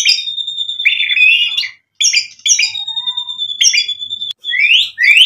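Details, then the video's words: White-rumped shama singing to provoke a reply, with long steady whistled notes, interspersed chattering phrases and rising slurred whistles near the end. "MURAI BATU GACOR memancing EMOSI bikin NYAUT ikut BUNYI"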